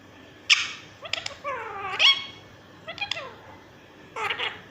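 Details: Green ringneck kept as a pet, talking indoors: harsh, raspy squawks mixed with swooping, speech-like syllables, several separate bursts over about five seconds.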